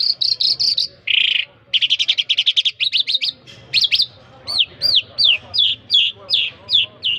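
Quick, varied bird song: rapid high chips, a brief buzzy burst, then a string of arched, down-slurred whistled notes about two per second.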